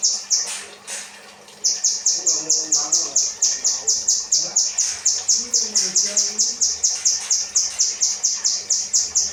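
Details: Kinoi bird in 'rambatan' training material for cage birds: a few scattered high notes open, then from under two seconds a long, fast, even train of piercing whistles, roughly four per second, over soft low sounds.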